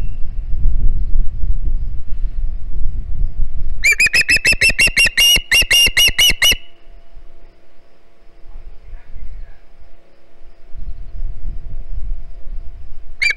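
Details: Hog Island nest, 9 September 2019: a juvenile Osprey begs for fish. Low handling noises give way to a burst of rapid, high, piercing whistled peeps lasting nearly three seconds, then quiet rustling and a final peep.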